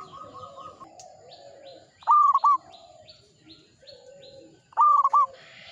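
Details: Zebra dove of a local strain in full song, Mataram ngepat rhythm style: two crisp, loud phrases of clipped cooing notes, each ending in a short pause and a final note, over quieter background coos and chirps.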